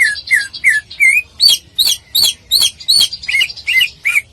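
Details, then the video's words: Greater green leafbird in full song as a contest tutor recording: loud wavering whistles repeated almost three per second, each a rising or falling slur, steady and vigorous. "Masteran Cucak Ijo Full Tembakan Paling Dicari Oleh Juri Lomba"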